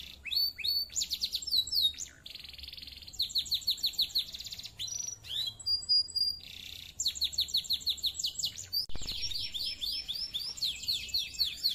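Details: Canary in continuous singing with a clear voice that provokes rival birds: phrases of rapid rolling trills and repeated sharp notes, alternating with a few steady whistled tones, delivered in quick succession at moderate volume.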